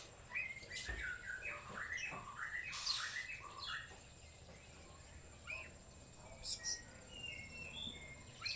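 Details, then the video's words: Oriental magpie-robin (kacer) in full-power singing: a run of varied whistled notes stepping up and down between phrases, then sparser short chirps and twittering, with steady background hiss and a high constant tone. "KACER LEPAS TROTOL KONSLET SUARA FULL POWER !!!"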